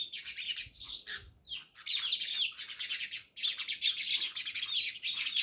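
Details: Many house sparrows living near a village house in Jamnagar, chirping together in a dense, overlapping chatter of bright, high tweets that runs almost without pause, with only brief gaps.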